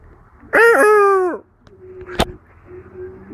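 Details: Peahen calling in a back-and-forth exchange with a person: a loud, nasal, harmonic-rich cry lasting about a second, ending in a sharp click, followed by quieter low sounds.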